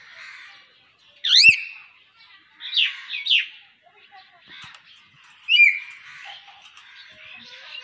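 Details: Common hill myna, billed as a talking bird, giving loud, sharp whistles that sweep up and down, with squawky notes at irregular intervals and soft chirping and warbling in between.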